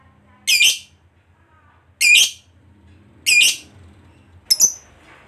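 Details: Lovebird kept as a songbird, recorded to lure other lovebirds into song: four short, shrill, squeaky chirp bursts spaced roughly one to two seconds apart, with a faint low hum between them.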